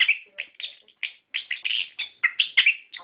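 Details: Brief, rich passage of orange-headed thrush lure song aimed at caged birds: tumbling, warbled phrases and buzzy notes delivered in quick succession with tiny pauses.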